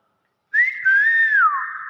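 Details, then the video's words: Nias hill myna in its own voice: after silence, a bright whistled phrase starts level, wavers slightly, then slides down into a sustained ringing tone. "BURUNG BEO NIAS SUARA ASLI"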